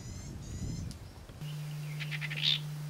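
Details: Female Cape Batis in southern Africa giving a few short, high, clipped notes and a brief chattery run, with a steady low electrical hum behind.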